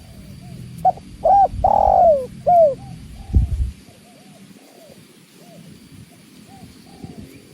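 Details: Spotted dove, known locally as tekukur, gives one phrase of short coos and a long sliding coo, followed by faint distant cooing, with the sound of water and a low thump in the background.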